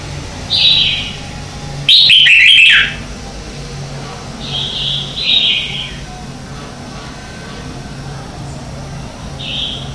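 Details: Red-whiskered bulbul singing in the morning, used for song training as lure birds: short bright whistled phrases around mid-high pitch, one loud rich burst near two seconds, then softer warbled notes, steady low hum beneath.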